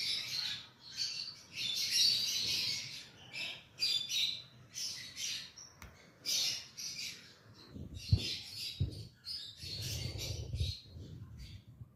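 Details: Lovebirds chirping: many overlapping high squeaky chirps and twitters in dense bursts, with some low thumps and rustling in the background.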